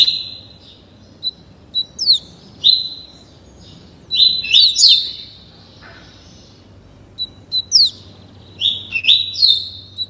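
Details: Young captive double-collared seedeater, just 30 days old, learning the tuí tuí Alcântara song: clear high whistles and sharp descending sweeps in several clustered phrases with short silent gaps.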